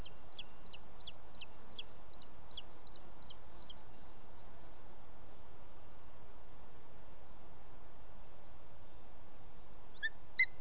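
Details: Male booted eagle bringing prey, an unidentified bird, to the nest late in the evening at 20:09 on 18 June 2017, Els Ports Natural Park; a run of about eleven sharp, high whistled notes over four seconds, then quiet, then one last note.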